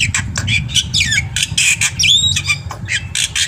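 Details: Black-winged myna singing vigorously with a full, varied repertoire, a training recording meant to coax other birds to sing: rapid harsh squawks, buzzy bursts and short sliding whistles crowd together, over a steady low hum.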